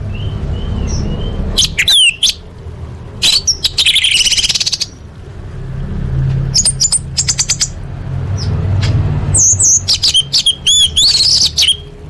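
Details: Orange-headed thrush singing, played as a lure for caged birds: scattered phrases of quick, high whistles and sharp chipping notes, some in rapid strings, with pauses between and a constant low rumble behind.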